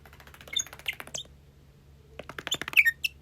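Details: A pet Bourke's parrot that does not talk gives soft, high chirps and squeaky twitters in two short bursts, with a faint low hum in the background.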